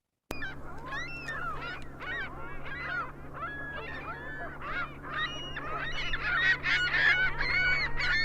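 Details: A noisy chorus of Ring-billed Gulls (Larus delawarensis) giving overlapping high, nasal mewing and yelping calls; Ring-billed Gull.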